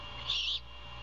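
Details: Great horned owl nest in Savannah, mother feeding her owlet early on 21 February 2022 in a former Bald Eagle nest; one loud, breathy, rasping screech of about a third of a second, then steady hum.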